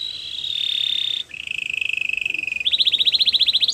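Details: Singing canary: a steady, sustained whistle drops to a lower held tone, then turns into a rapid run of bright, repeated chips.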